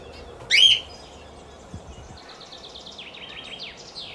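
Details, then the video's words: A sun conure playing with a ring gives one loud, sharp, high chirp, followed by a run of soft, quick, warbled chirps from smaller birds, likely budgies, in the background. "Sun Conure Playing with Ring Chirping Sounds"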